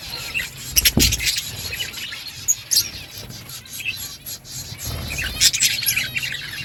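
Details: Budgerigars eating green food chirp in irregular, high, thin notes and twitters, punctuated by two low thuds early and late.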